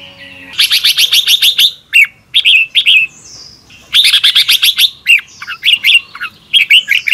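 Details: Red-whiskered bulbul morning training song in the double-twist voice style, used to coax young birds into singing: bursts of sharp rapid chirps alternate with short warbled, rising-falling whistled phrases, in two similar sequences about three seconds apart.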